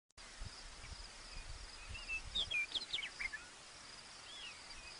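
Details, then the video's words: Meadowlark, possibly Western or Eastern, singing in grassland at Wind Cave National Park, 2013: a brief run of clear, slurred whistles dropping in pitch, over a steady high insect buzz and soft background noise. "a Meadowlark Singing"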